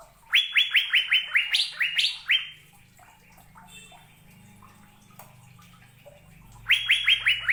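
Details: Asian fairy-bluebird singing a quick string of bright, upward-slurred whistles, about eight in a row, then a quiet stretch of faint chirps before another burst of similar rising notes starts near the end.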